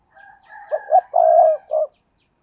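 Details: Single loud phrase from a spotted dove kept as a decoy for wild doves: two brief notes, a long mellow coo and a short closing note. A thinner whistled call from another bird sounds softly behind it.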